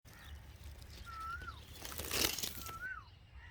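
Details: Red-vented bulbul at a nest with nestlings and their mother: two clear whistled notes, each held level then sliding up and dropping, about two seconds apart, with a burst of broadband rustling between them.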